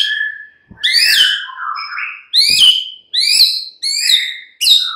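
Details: White-rumped shama in a mid-morning lure recording: a low warbled phrase, then a series of loud, ringing downslurred notes with harsh undertones, given about every 0.7 seconds.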